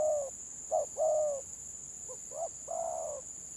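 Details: Stuttering 'gagap' song of a village spotted dove: a drawn coo, a short note and a long coo, then soft clipped notes ending in a long falling coo. A high steady hum sounds behind.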